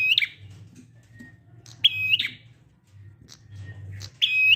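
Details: Prinia, used to coax quiet prinias into singing: three buzzy trilled phrases, each opening with a sharp chirp, spaced about two seconds apart, with faint soft notes between them and a low hum throughout.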